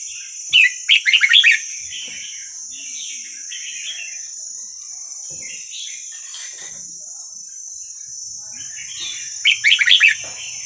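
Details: Wild Vietnamese red-whiskered bulbul song played to train young birds: two bursts of rapid, bright chattering warbles near the start and end, with quieter warbled phrases between and a steady high electronic whine throughout.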